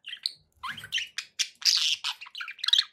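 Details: Pet budgerigars chattering: quick bursts of bright chirps and short scratchy notes, some rising, packed closely with brief gaps, recorded indoors.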